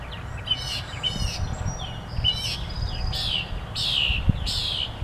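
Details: Bird singing outdoors with a variety of sounds: bursts of bright, twittering phrases with descending whistles and buzzy trills, separated by short pauses, over a steady low rumble of background noise.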